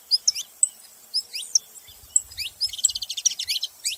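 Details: Saffron finch making noise: scattered high chirps and slurred notes, then a quick buzzy trill of rapid repeated notes midway, followed by more chirping, with faint low thumps.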